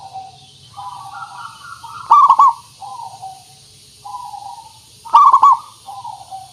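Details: Perkutut, or zebra dove, lure song to make birds respond: two loud stuttering coo phrases three seconds apart over softer continuous cooing and a faint low steady hum.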